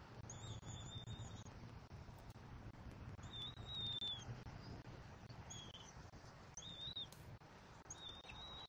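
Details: Bald eagle eaglet on a nest in Southwest Florida on 17 February 2024, being fed a rat pelt by its mother, gives thin, high whistled calls in short repeated bursts over steady wind rumble.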